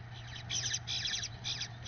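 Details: Eastern bluebird male feeding a nestling from the first clutch: a quick run of harsh, raspy, buzzy bursts, three or four in under two seconds, over a steady low hum.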